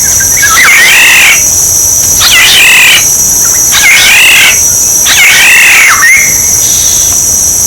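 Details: Black-naped oriole decoy recording: four harsh, nasal, wavering calls spaced about one and a half seconds apart, the last tailing into a whistle, over a persistent high insect-like whine.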